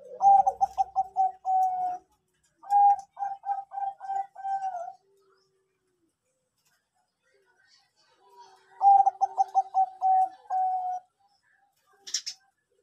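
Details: Bangkok-type zebra dove singing three phrases of quick, stuttering mid-pitched coos ending in a drawn-out note, spaced a few seconds apart; a brief sharp click closes.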